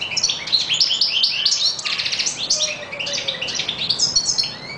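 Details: European goldfinch delivering a continuous, rapid twittering song of high liquid notes, dense buzzy trills and short chirps, with a faint low whistle underneath partway through.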